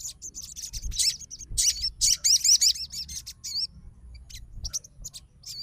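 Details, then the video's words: A sogon fighter reacts to another sogon's song with irregular high warbles and twisting whistles, loudest in the first half, then sparse single notes. "SOGON FIGHTER LANGSUNG RESPON DENGAR SUARA SOGON GACOR"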